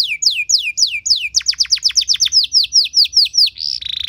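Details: Canary training song: evenly spaced slurred downward whistles, speeding into a rapid run of steep falling notes, ending with a level whistle and a fast fine trill.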